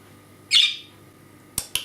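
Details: Pet budgerigar with hurt wings, kept in a small cage by a computer, calling "Kärrö!" once its owner moves out of sight behind a ledge: one harsh, buzzy squawk, then two sharp clicks in a small indoor room.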